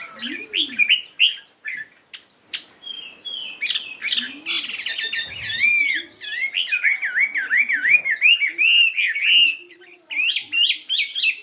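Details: 72-gram fighting Chinese hwamei practising its varied morning song: bright whistled phrases broken by short pauses, a burst of harsh notes, then a long run of rapid rolling up-and-down whistles and repeated clear notes.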